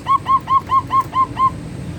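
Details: Zebra dove known as perkutut, manggung song: seven mellow cooing notes delivered at a steady even beat, each a short rounded hoot, with low murmuring background.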